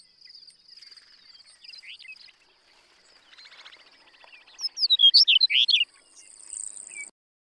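A Chestnut-collared Longspur gives one quick, bright, tumbling warble of about a second, with sweet notes sliding up and down, over a steady high insect buzz.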